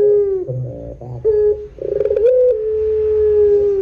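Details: Barbary dove lure sound to prompt other doves to call: stuttering rolled notes and a brief coo, then a pulsing burr rising into a long, sustained low coo that slowly fades.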